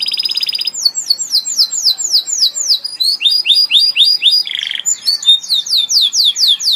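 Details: Canary singing continuously: a short trill, then long runs of fast, repeated sweeping whistles, broken by a brief lower buzzy note.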